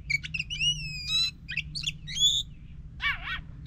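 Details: Lure song of an Oriental magpie-robin for a silent bird: long level whistles, quick chirps, a buzzy rattle, then a wavering harsh note near the end.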